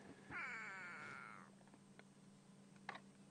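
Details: A go-away bird on a morning safari drive in the South African bush, near an impala carcass, gives one long, nasal, cat-like wail sliding gently downward for about a second, over a low steady hum and faint clicks.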